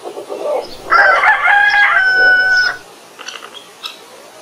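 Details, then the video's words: Morning crow of a rooster: a roughly two-second crow, rough at first, then holding a steady tone before cutting off, with soft farmyard noise before and after. "Rooster Crows - For Wake You Up"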